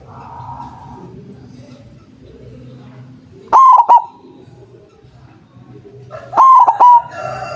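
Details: Strong-voiced white zebra dove serving as a trapping lure so that other doves answer; after a quiet start, two loud phrases of three short coos about three seconds apart.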